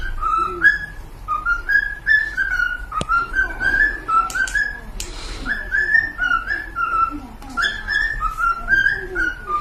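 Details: Whistled melodic phrases from pet cockatiels, with notes that slide up and down and repeat in a steady rhythm, plus one sharp click and a brief noisy burst midway.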